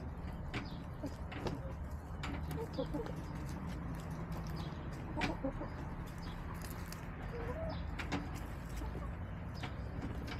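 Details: Backyard chickens in mid-March, soft scattered low clucks from hens over steady low hum and outdoor background noise, with occasional clicks and knocks.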